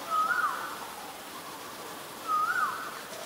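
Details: White-vented myna, Ubon Ratchathani, Thailand, March 9, 2022: two matching whistled notes about two seconds apart, each rising a little before dropping sharply, with quiet background noise between them.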